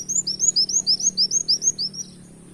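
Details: A canary-like lure song from a brown-throated sunbird: about a dozen quick, piercing upward-slurred notes, fading out after two seconds.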